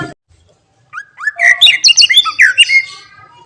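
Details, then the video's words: Cucak ijo, the greater green leafbird, unloading its song full of varied borrowed phrases meant to rile other birds: a rapid, jumbled run of rising and falling whistles and sharp chips, dense and musical, lasting about two seconds. "Cucak Ijo Bongkar Isian Bikin Emosi Burung Lain"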